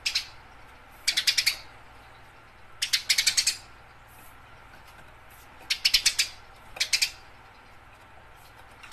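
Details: Energetic fighting-style Eurasian tree sparrow chatter, a training recording for songbirds: paired bursts of rapid, sharp, high chirps, several notes each, separated by quiet gaps of one to two seconds.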